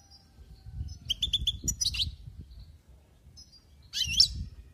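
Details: Goldfinch giving a few quick high chirps in a short run, then a slurred buzzy twitter, a pause, and another brief burst, with quiet background.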